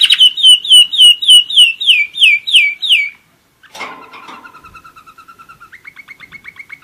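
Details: One-year-old German Roller-split canary singing: a run of loud descending whistles about three per second, a brief pause and burst, then softer rolling trills at two steady pitches.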